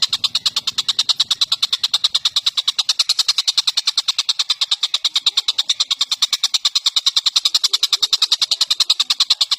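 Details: Tengkek buto or cucak jenggot from Indonesia, a training recording for songbirds: a continuous, rapid, dry rattle of buzzy clicks repeated about three times a second, loud and even, with a brief low rumble at the start.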